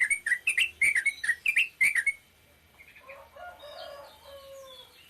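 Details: Yellow-vented bulbul giving a short rapid 'ropel pendek' song: about two seconds of quick, bright, repeated chirped notes, roughly four per second, followed by a softer wavering crow-like sound from another bird.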